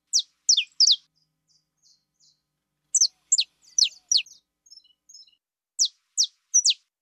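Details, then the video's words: Saffron finch of the fibra type delivering bursts of sharp, high, downward-sweeping chirps mixed with softer short ticking notes, in three clusters across about seven seconds, against a silent background. "CANÁRIO DA TERRA FIBRA"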